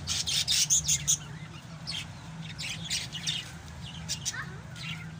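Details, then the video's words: Pet African lovebirds chattering. A loud cluster of sharp, high chirps opens, then softer scattered tweets follow at an uneven pace above a constant low droning hum. "MGA ALAGA NAMING LOVE BIRDS."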